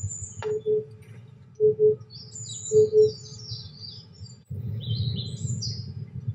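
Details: Three deep, hollow double hoots from an Oriental Cuckoo, about a second apart, then a rustle of broadband noise. High, scratchy songbird notes run above. Recorded on a cloudy 23°C day with white admiral butterflies flying.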